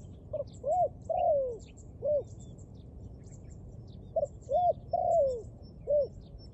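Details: Dove cooing in clear, low, hooting phrases: short rising-falling coos, then a longer drawn-out coo, repeated as two similar sequences about four seconds apart. Faint high bird chirps in the background.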